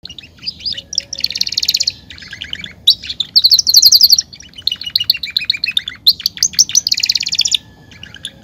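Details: Caged Belgian canary singing to warm up other canaries to sing: fast rolling trills, bright buzzy rattles and sharp chirps in quick alternating phrases, with short pauses between bursts and a steady, clean background.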